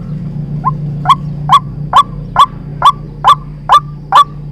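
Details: White-breasted waterhen call used to lure birds into traps, a series of loud rising notes repeated a little over twice per second with very regular spacing, over a low droning hum.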